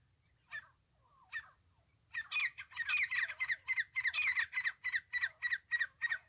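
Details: Francolin calling, as used by trappers: two isolated sharp notes, then a loud, rapid, harsh, rhythmic series of grating notes running for about four seconds.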